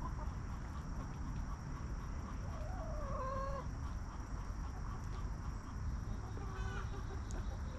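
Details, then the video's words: Backyard rooster crowing among hens in a coop, a drawn-out harmonic crow of about a second with a shorter, fainter crow near the end, over steady low rumbling background noise. "Rooster Crowing!"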